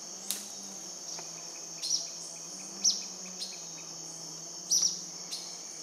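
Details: Purplish jacamar near Shaime, Cordillera del Condor, SE Ecuador, at 10am on 5 Feb 2014, giving sharp, very high, thin call notes every second or two over a steady high insect drone and a low hum.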